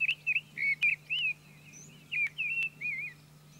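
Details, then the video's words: Mistle thrush singing in France, a run of rich whistled and slurred notes, each short and wavering, given in quick succession with brief gaps, then a few softer trailing notes; faint low hum behind. "Grive draine - Mistle Trush - Misteldrossel ( Turdus viscivorus )"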